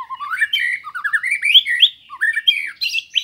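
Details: White-rumped shama song used as a master recording for training pet birds: a rich, continuous run of varied whistled and chattering phrases climbing from low mellow notes to higher, sharper ones, with no pauses.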